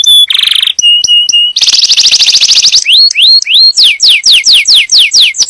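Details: Yellow canary singing to prepare a female for breeding and teach young birds: pure whistled notes, a dense buzzing trill, then rising whistles and a series of steep descending sweeps repeated rhythmically.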